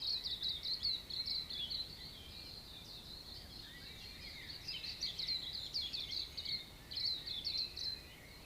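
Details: Dawn chorus of New Zealand native birds in a backyard in Auckland, New Zealand: many birds chirping and twittering at once, dense high overlapping notes in rapid bursts, with brief quieter gaps.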